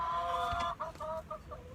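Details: Backyard domestic hens locked in their coop midday give short, nasal, rising clucks and murmurs, with a person talking at the start; the keeper says they are asking why they're shut in.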